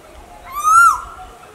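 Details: Asian koel, from a recording presenting male and female koels calling: a single loud, clear whistled note that swells, rises slightly and falls away in about half a second, over a quiet background with faint low rumble.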